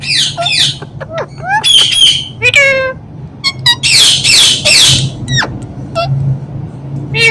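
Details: Indian ringneck parrot kept as a talking bird giving a rapid series of sharp squawks and chirps, some tonal and sliding, others harsh and broadband, spaced irregularly over several seconds above a low background hum.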